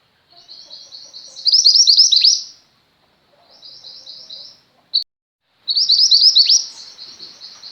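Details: Chattering female Mountain White-eye singing as tutor material for pet white-eyes. Soft high twitters build into a loud rapid warbled burst, then a quieter run of chips, one sharp click, and another loud twittering phrase.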